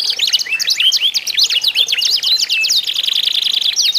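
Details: Short burst of canary contest song, used to coax other canaries to sing: quick upswept whistles and chirps, then a fast even trill on one pitch.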